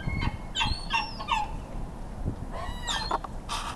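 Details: Gulls, ring-billed and Iceland, squabbling in a feeding frenzy as a large gull eats the food and fights others. Short, harsh, nasal squawks come in quick bursts of three, then another cluster, over steady low background noise.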